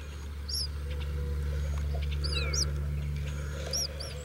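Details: Baby Eastern Bluebirds in a nest box give thin, high chirps in short bursts every second or two, over a steady low hum.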